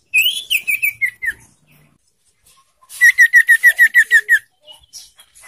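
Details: Young ashy tailorbird (sirtu) song, used to stimulate caged birds to sing: a falling run of about six loud whistled notes, a pause, then about ten sharp, evenly spaced notes in rapid succession.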